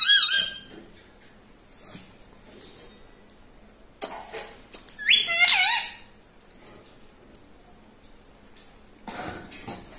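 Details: Pet parrot that talks like a human: a short, high, whistled harmonic phrase at the start, then long quiet gaps with clicks, one brief looping squeaky syllable burst midway, and a rustle near the end.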